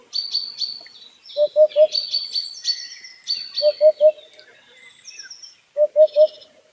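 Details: White-breasted waterhen heard outdoors, repeating bursts of three quick, low, knocking notes roughly every two seconds. A chorus of higher chirping and whistling songbirds runs throughout.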